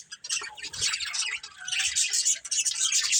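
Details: A breeding pair of budgies trade quick, harsh, high-pitched chirps and scratchy squawks in a busy, uneven stream after a brief quiet start.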